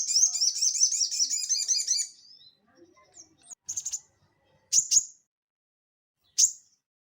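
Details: Crested jay, an energetic ngeleper singer used to prompt cage birds to sing: a two-second, high, rapid rattle, faint scratches, then a few separate sharp chips, some in quick pairs.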